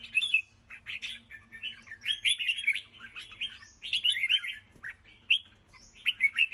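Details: Red-whiskered bulbul singing an especially fine, chattering song: clear warbled and slurred phrases at mid-high pitch, delivered in quick bursts separated by short gaps, some notes rising and falling; faint low hum behind.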